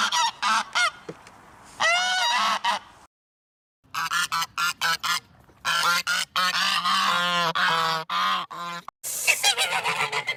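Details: Geese calling loudly and repeatedly, harsh nasal honks with rich harmonics in rapid irregular bursts, some drawn out and wavering, broken by a short silent gap before the honking resumes densely.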